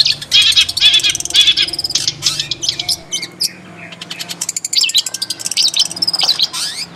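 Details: In its natural habitat, a long-tailed shrike mixes harsh chattering bursts, squeaky slurred notes and a rapid ticking run, with loud swooping phrases near the end.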